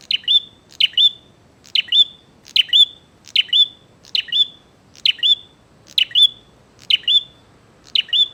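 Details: Lively bar-winged prinia challenging to fight, about eleven bright two-part chirps, each a sharp high note ending in a short whistle, repeated steadily close to once a second, background otherwise quiet.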